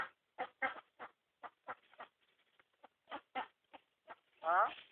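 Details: Myna recorded on a mobile phone: a run of short, harsh clucking notes at irregular intervals, ending with a louder, drawn-out squawk that slides downward.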